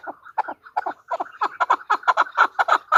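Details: Female chukar partridge in full call, hoarse doubled clucks starting spaced out and speeding up into a dense, loud chattering run within three seconds.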